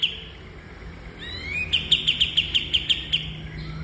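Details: Bulbul song used to train cage birds: a short rising slurred note followed by a quick run of about ten evenly spaced high chips, over a steady low hum.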